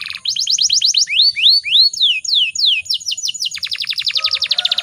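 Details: Female canary in breeding condition, used as a lure to provoke males into singing: rapid repeated high chirps, then slower rising swoops, downslurred notes, and a fast rattling trill at the end.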